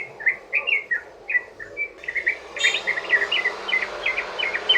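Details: Sooty-headed bulbul giving a long rapid 'ropel' song used as a lure to make other bulbuls sing: quick runs of short, bubbly whistled notes, a brief pause near the middle, then a denser chattering burst, over a faint steady background hiss.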